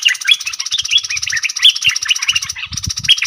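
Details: Caged red-whiskered bulbul singing in the dok taeng song style during a singing duel with wild birds, recorded 3 October 2021 in Thailand: dense, overlapping chirpy whistled phrases repeated without pause, with soft low thumps beneath.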